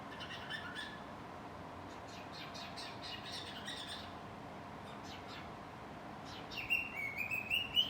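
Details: A cockatiel, hiding while it sings, gives soft, scratchy chirps for several seconds, then breaks into a clear, wavering whistle that dips and rises near the end.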